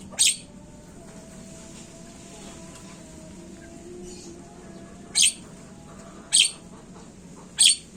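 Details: Javan myna recording used as a lure to get other birds calling quickly: four short, harsh, hissing bursts spaced irregularly over a few seconds, with a faint low hum underneath.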